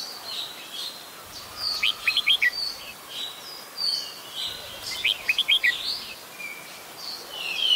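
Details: In Ubon Ratchathani, Thailand, on 16 December 2020, an adult Red-whiskered Bulbul repeats a lively phrase of three or four sharp, quick chirps twice, roughly three seconds apart, with other birds twittering steadily behind.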